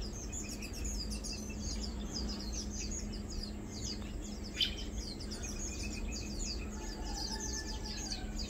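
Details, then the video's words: Lowland white-eyes (Zosterops meyeni), mainly feeding, give thin, high twittering calls in a steady chatter with a constant low hum and background noise; 2 August 2022. "Lowland White-eye | Matang Dulong (Zosterops meyeni) - Mainly Feeding"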